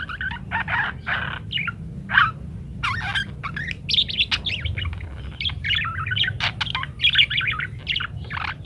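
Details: Parakeet singing energetically in varied patterns, used as a master recording so munias learn to chatter quickly: dense, continuous chattering warble of rapid chirps, squeaks and buzzy notes in quick irregular bursts, with faint low hum beneath.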